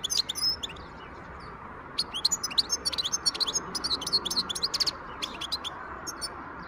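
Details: Wild European goldfinch singing, recorded in 2023: an opening flourish of high tinkling notes, a short pause, then a dense, fast twittering run of sharp chirps and liquid trills lasting about four seconds over a steady background hiss.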